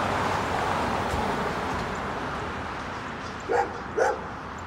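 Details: Crow calling in Oshawa, Ontario, Canada, on 17 March 2022: two short, harsh caws about half a second apart over a steady rushing background of traffic noise.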